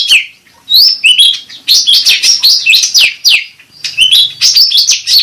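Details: Lure and therapy song of the grey-bellied bulbul (cucak ranting): a continuous lively stream of sharp, bright, slurred notes, rising and falling, packed closely with short pauses between bursts.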